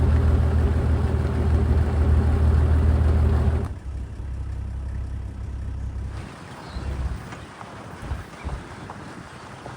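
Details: A vehicle engine rumbles steadily for nearly four seconds, then cuts to a quieter stretch of wind and faint scattered knocks.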